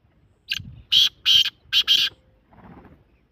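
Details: Black francolin (kala teetar) calling: one loud, harsh, grating phrase of four raspy syllables, a short opening note followed by three longer buzzy notes in quick succession, then a faint low rumble in the background.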